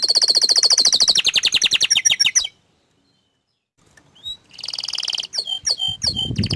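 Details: Canary, noted as shy to show its face, singing loud rapid trills for over two seconds. After a silent pause it resumes with a buzzy rattle and sharp chipping notes.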